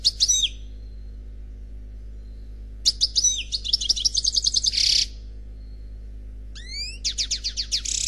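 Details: Single, unpaired male European goldfinch singing Khalwi style, recorded on CD: an opening twitter, a pause, a long jangling run of fast notes and buzzes, then rising whistled sweeps and a rhythmic trill.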